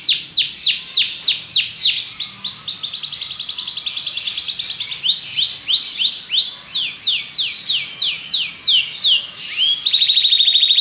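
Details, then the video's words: Belgian canary singing loudly: series of sharply descending whistled sweeps repeated about three per second, a smooth rapid trill in the middle, more falling sweeps, ending on a steady buzzy high trill. "Canário Belga cantando"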